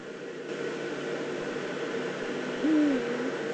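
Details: Eurasian eagle-owl, probably a female, recorded in the Eifel, Germany, on 22 September 2014 while calling near the nest scrape. A single low, slightly falling call is heard late in the clip over a steady background hiss.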